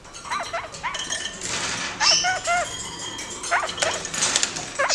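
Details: Two kakariki kept in a cage, active, acrobatic and curious; quick runs of short hooked chattering notes in several bursts, mixed with scratchy rustling and higher chirps.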